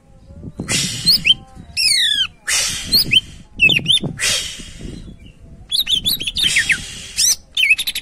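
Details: Greater green leafbird singing in vigorous gacor style, used as a lure to set other birds singing: harsh buzzy bursts alternate with sharp descending whistled sweeps and quick chirps, with short pauses between phrases.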